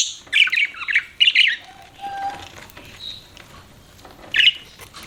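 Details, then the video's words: Budgerigars chirping in short bursts of bright, buzzy notes separated by quiet gaps, with a faint low whistle in between and a last chirp near the end. "BUDGIES CHIRPING SOUND"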